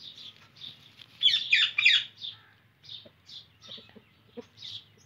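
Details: Indian ringneck parrot screeching: a loud cluster of harsh notes early on, then scattered softer single squawks, with a low background hum throughout.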